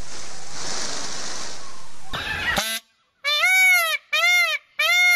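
A peacock gives three loud, nasal, trumpeting wails in quick succession, each rising and then falling. Rushing wind or handling noise comes first.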